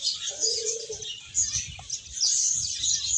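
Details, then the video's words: Playing, eating finches fill the air with thin, high, rapid chirping; a short lower buzzy note sounds early on, with soft low rustling beneath the chorus. "Cute Birds Chirping Sounds | Beautiful Finches Playing and Eating"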